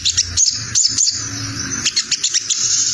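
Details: Short burst of crimson sunbird lure chatter in the 'ngriwik' style, meant to call in wild birds: a few sharp, high, clipped notes spaced unevenly over a low buzzing hum.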